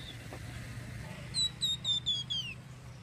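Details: Flamboyan bird, a recording meant for luring birds into quick response: a series of five clear whistled notes, each sliding slightly downward, the last dropping lower, against a steady low hum.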